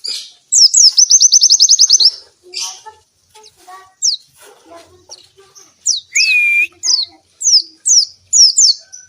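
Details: Oriental white-eye in full song, used as a lure to provoke and train lazy white-eyes to sing: a fast, even high trill of rising notes, then scattered sharp descending chirps and one long flat whistle.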